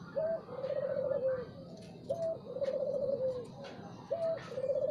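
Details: Morning song of a spotted dove, three clear phrases each opening with a brief rising note and ending in a rolled, slightly falling coo, roughly every two seconds, with soft distant chirping.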